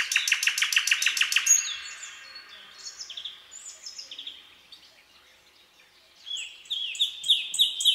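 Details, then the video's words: Nightingale in song in a night-time forest, opening with a rapid, loud rattling series of clicks, then a quieter passage of thin rising whistles, a short pause, and a final sequence of clear, repeated upslurred whistles. "Incredible Nightingale Singing in the Night Forest"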